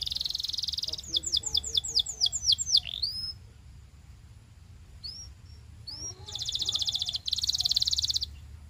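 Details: Canary singing for song coaching: a buzzy opening, a run of slurred whistles falling into a sweep, scattered upswept notes, then two dense fast trills separated by a short gap.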